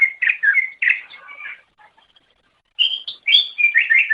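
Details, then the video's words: Lively greater green leafbird song recorded as training material for songbirds: fast jumbled chirping phrases, a short pause, then another run of sharp whistled and warbled notes, with no other sounds. "Ocehan Suara Burung Cucak Ijo"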